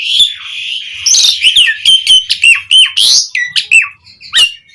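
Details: Asian pied starling singing loudly to lure other starlings into song: a steady whistle opens, then a string of short upslurred and downslurred whistled notes and a harsh burst, about one and a half notes per second.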